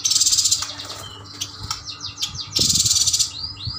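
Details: Yuhina from Kalimantan, caged birds bought as a group, both males and females, singing busily: high rasping buzzy bursts alternating with rapid downslurred whistled notes, some rising sweeps, a steady low hum beneath.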